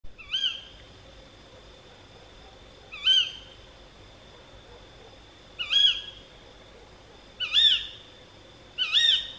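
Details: Female tawny owl calling at night near Gythio in the Peloponnese, Greece: a short, high, sharp rising-then-falling shriek, sounding as a single note and repeated about every two to three seconds, five calls in all, over a faint steady background hum.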